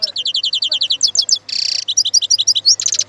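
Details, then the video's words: European goldfinch song of quickly repeated bright chirps, a harsh buzzy note, then more twittering notes, over a steady low hum. "تغريد طائر الحسون"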